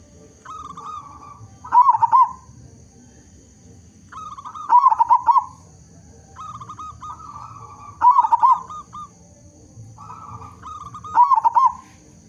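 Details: A big-voiced local zebra dove singing steadily as a lure for other zebra doves. Held coo notes run into a loud trilled, rolling phrase, repeated four times at roughly three-second intervals.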